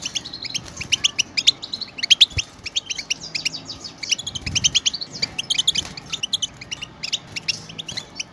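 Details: European goldfinches singing as a flock, played to prompt pet goldfinches into song; continuous overlapping high twitters and buzzy trills, busy and jangling throughout, with a soft low thump in the background.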